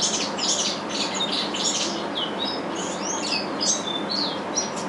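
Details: Captive-bred curió, or chestnut-bellied seed finch, one of two raised in an aviary and singing its father's regional Curitiba song style: a fast run of high whistled phrases, falling and rising slurs, continuous over constant broadband noise.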